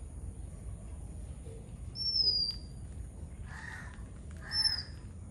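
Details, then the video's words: Oriental magpie-robin in Sri Lanka: two high, thin whistles sliding slightly downward, about two and a half seconds apart, with harsh crow caws in between. "How does Magpie Robin chirping sounds"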